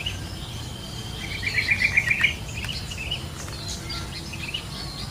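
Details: Wild yellow-vented bulbul singing outdoors: a short, bubbly run of about seven quick, rapid notes near the middle, set against steady insect hiss and faint background chirps.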